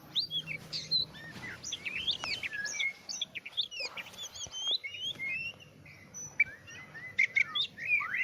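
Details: Oriental magpie-robin in varied song: rapid sequences of high whistled sweeps and sharp chips, tumbling phrases with brief pauses, over a soft low background hum.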